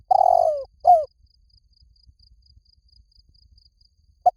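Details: Spotted dove calls played as a decoy to draw doves in quickly: a loud, low descending coo followed by a shorter hooked coo, then a long pause and a brief clipped note at the end, with faint ticking in the background.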